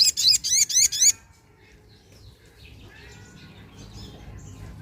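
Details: Lure call of a Sunda pin-striped tit-babbler (sogok ontong): a brief burst of five quick, harsh, buzzy notes in about one second, followed by quiet with faint distant chirps.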